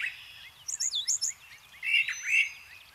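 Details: Brown Thrasher, a member of the mimic family, singing a riff that borrows other birds' sounds: quick high chirps and slurred whistles in short groups, followed by louder, rich downslurred notes, over faint background hiss.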